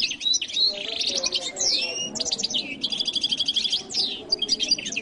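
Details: Jilguero latino goldfinch pouring out a fast, high warbling song that mixes sharp chirps, a downward-sweeping whistle and dense buzzy trills, running almost without pause.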